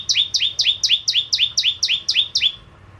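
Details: High bar-winged prinia song for stimulating other birds: ten quick, regular, two-part notes, each a bright chip dropping into a slurred lower tail, repeated about four per second.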